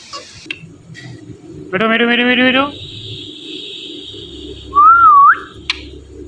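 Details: Talking Indian ringneck parrot indoors, said to repeat "Mithu": one buzzy, voice-like harmonic phrase of about a second, then a pause and a clear whistled note that dips and rises, over low room hum.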